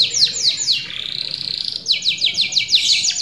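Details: Canary singing as a lure-and-therapy song: rapid repeated high downslurred notes, then a fast buzzy trill, then another series of quick descending notes.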